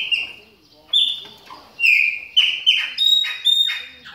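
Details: Chopi blackbird warming up during moult, delivering a rapid, almost continuous run of bright, ringing whistles, some higher and metallic, others lower and flatter, with hardly any gaps.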